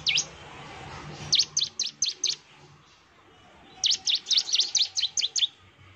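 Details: Bar-winged prinia in full song, played to make other prinias answer: two runs of sharp, high, downslurred chirps, the second faster and denser, separated by a quiet gap of over a second.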